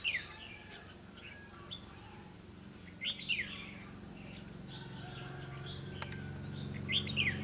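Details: Red-whiskered bulbul recorded during a trapping session on 21 December 2015, giving sharp downslurred whistled phrases at the start, around three seconds and near the end, over a steady low hum.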